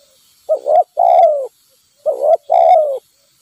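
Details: Trapped-for spotted dove in the wild, calling toward a decoy: two clipped low coos, then a sustained coo sliding slightly downward. Two full phrases sound about a second and a half apart.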